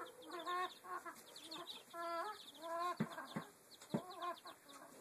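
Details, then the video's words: Odd chicken noises, a run of nasal, harmonic clucks and drawn-out wavering notes in irregular bursts, with a few sharp knocks near the end. "Strange chicken noises"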